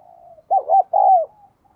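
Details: Close spotted dove coo: a double bouncing note flowing into a longer, smoothly falling croon, over a faint steady hum of other cooing.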